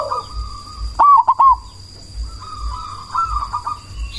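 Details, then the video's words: Cemani zebra dove, a loud-voiced bird used as a lure to provoke other doves into answering and to raise breeding drive, gives one burst of three quick hooting notes. A steady chorus of other doves coos behind it. "Perkutut cemani gacor suara BESAR pancingan ampuh bikin lawan langsung nyaut"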